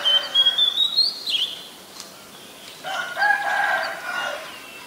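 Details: Oriental magpie-robin, very common resident, Ubon Ratchathani, Thailand, 7 January 2021: a clear high whistle that wavers then rises before a drop, followed by harsher, lower, mixed notes.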